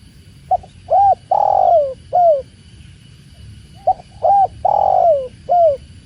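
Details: Spotted dove (tekukur) repeating its four-part coo twice, about three seconds apart: short note, curved coo, long rough descending coo, final coo. Gentle flowing-water noise runs throughout.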